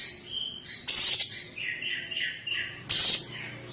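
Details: Female sooty-headed bulbul calling to the male: short, bright chirps and warbled notes, with two loud, harsh, noisy bursts about two seconds apart.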